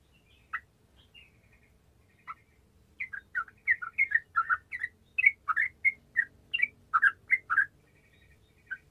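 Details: Sooty-headed bulbul giving lively gacor song, meant to stir lazy bulbuls into singing: after a few isolated notes, a steady string of clear, liquid, whistled notes, each slurring up or down, delivered about twice a second.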